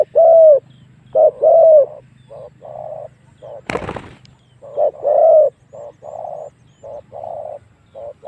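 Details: Spotted dove calling as a lure to provoke wild doves into a fight. Loud two-part coos mix with fainter answering coos from farther birds, with one sharp click near the middle.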